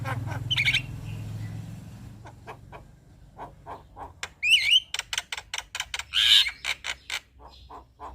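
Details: Male Javan myna song played to attract other mynas: after a low hum, a series of dry clicks with sudden loud squeaky whistles and harsh rasping bursts.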